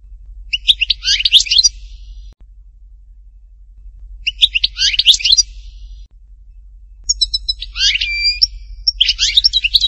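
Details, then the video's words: European goldfinch, Hattatba, Tipaza, delivering short bursts of fast twittering and chattering notes separated by pauses of roughly two seconds, the last phrase longer with clear whistled elements. "chant chardonneret htatba tipaza حسون حطاطبة"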